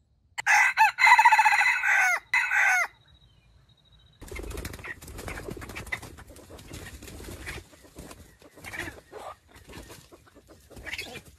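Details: A red junglefowl kept as a decoy for trapping wild junglefowl gives one loud, harsh, clipped crow lasting about two seconds, followed by a pause, then soft rustling and faint scattered background sounds.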